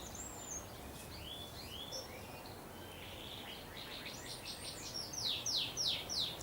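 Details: A pet male canary sings its heart out around the southern-hemisphere summer solstice: high, varied warbled notes and slides, ending in a run of quick downward-sweeping chirps about three per second, over a steady background hiss.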